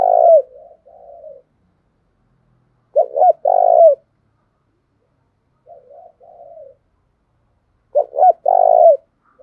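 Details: Spotted dove song for daily voice training. Deep, throaty coo phrases repeat about every five seconds. Each has two short clipped notes, a long rolling coo that falls at the end, and a quieter wavering coda.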